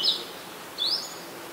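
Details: Red-whiskered Bulbul, an adult, on 31 December 2020 in Ubon Ratchathani, Thailand, gives two high, clear whistled notes about a second apart, the second sweeping upward, against soft background hiss.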